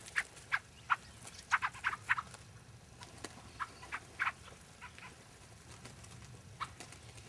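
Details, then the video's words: Several Fieldfares calling at Lee Common in February 2012: brief, harsh chack notes, some doubled or in quick clusters, spaced irregularly over a soft steady background rumble. "Fieldfares, Lee Common,9th February 2012"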